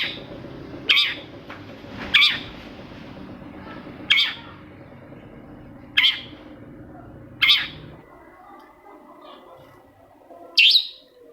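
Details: Long-tailed shrike, a lure recording meant to provoke another shrike into singing: loud, harsh, rasping calls repeated at irregular intervals of one to three seconds over a low hum, with quieter stretches between them.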